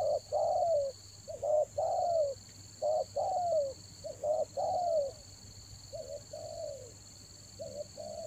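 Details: Spotted dove lure bird at Toba in the rainy season repeats its low coo phrase several times, a quick double note followed by a long downslurred note, fairly regularly, over a steady high whine.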